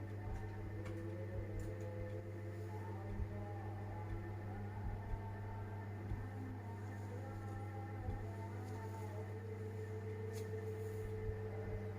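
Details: A steady low mechanical hum with a few faint clicks, and no animal calls heard.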